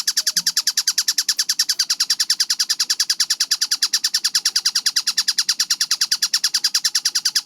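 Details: Rapid, tightly spaced chattering from a kingfisher known as tengkek buto: sharp, high, harsh notes repeated about eight times a second in a steady stream, with a brief low thump near the start.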